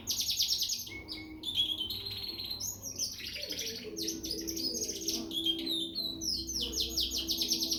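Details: Young frill canary singing in Peshawar: dense high trills and chattering notes alternating with longer whistled slurs, nearly continuous, accompanied by a steady low tone in the background.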